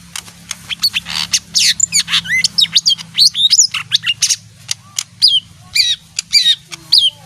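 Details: Small leafbird, a bird that sings when it hears music, giving a dense, varied stream of sharp high chirps and quick whistled slurs, many notes sweeping up or down, in rapid succession with barely a pause.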